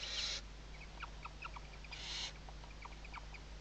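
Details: Western barn owl, Riet Vell Nature Reserve, Ebro Delta, Tarragona, Spain, 2023 season, morning webcam. Two harsh, breathy hisses with soft scattered chirping notes between and after them.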